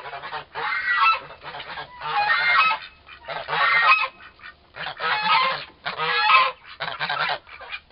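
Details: Rhythmic bursts of loud, rasping calls roughly once a second from two young turkey toms, about four months old, locked in an unusually long fight.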